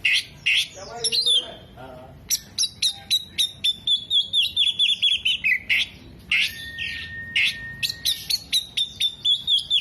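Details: An Oriental magpie-robin sings hard with tail open, borrowing hummingbird, bearded bird and lovebird sounds. Quick chips and sweeping whistles lead to a long, level whistled note and end in a rapid, trilled series.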